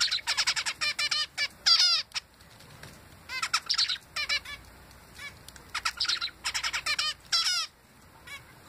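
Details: A young male zebra finch fledgling sings bursts of rapid, nasal, buzzy notes with brief pauses between phrases; male song as opposed to female.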